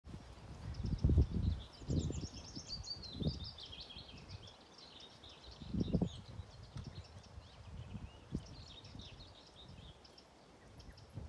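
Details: Willow warbler singing in Lilla Dalby Bjärby nature reserve, Öland, Sweden, on 20 May 2023: soft high descending whistled phrases, fading downward, repeated with pauses, over strong low wind rumble and rustling.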